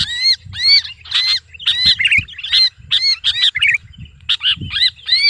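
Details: Screaming lure call of the Sooty-headed bulbul, as when the bird is pinched in the hand. Loud hoarse squawks come in quick irregular bursts, some clustered into a rattling jumble, over low muffled bumps.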